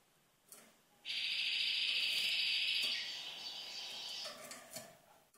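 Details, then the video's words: Red canary giving a dense, buzzy rolling trill of nearly two seconds, followed by softer, lower warbling phrases and a few faint clicks against a quiet background. "Red Canary singing"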